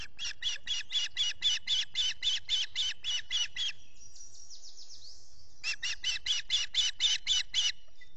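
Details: Rapid, regular chirping from an osprey at a Finger Lakes nest, US, as chicks are fed at dawn on 14 June 2021, solar nest camera: a long string of shrill notes, a thin whistle in the gap, then another fast run.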